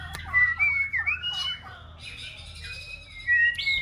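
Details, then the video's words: Young six-month-old female white-rumped shama rehearsing its song: long thin whistles gliding upward and downward, with softer warbled notes and a short pause before a final rising whistle. "Chòe lửa mái ổ tập hót"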